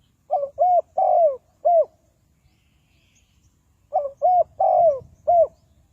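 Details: Spotted dove call, played as a lure to trap wild doves: a soft phrase of four hollow coos, the third drawn out and falling, given twice about three seconds apart against a quiet background.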